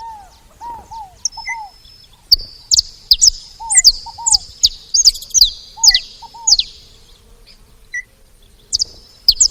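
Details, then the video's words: Saffron finches gathered at a feeder, calling in irregular bursts of high, sharply dropping chirps, with paired soft lower whistles repeating between the bursts. "Canário da terra fazendo barulho na seva"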